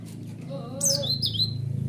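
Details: Lure song of a white-eye meant to draw a response from other white-eyes: a faint lower warble, then a sudden run of high, thin, twisting whistled notes over a steady low hum.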